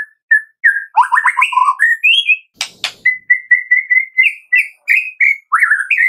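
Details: White-rumped shama song meant to make caged birds sing: varied rich whistles, a quick descending stutter, two sharp clicks, then a steady series of short clear whistled notes rising slightly.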